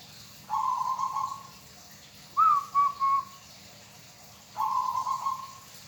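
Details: Local zebra dove delivers a low purring trill, a quick three-pulse coo, then another trill, clear and unhurried over faint background hiss.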